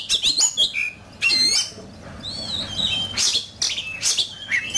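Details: Fighting song from an oriental magpie-robin: bursts of loud, varied whistles and harsh squeaky notes, broken by short pauses, with sweeping tones that climb and dip.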